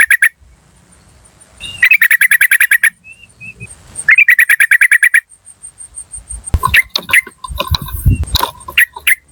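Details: Wild yellow-vented bulbul calls used as a lure for wild birds in forest, garden or around the house: two bursts of rapid, harsh chattering cuk notes around one second each, then a noisier jumble of notes, over a thin steady high whine.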